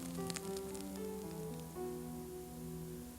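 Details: Sustained instrumental music with low held tones and a few crackling, rain-like high clicks early on, without any animal sound.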